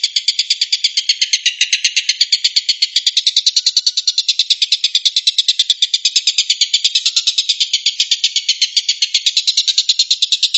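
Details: Stork-billed kingfisher 'tembakan' call used to train white-rumped shama. A dry, grating series of quick notes repeats about seven times a second in one continuous rattle over ten seconds; no other sounds intrude.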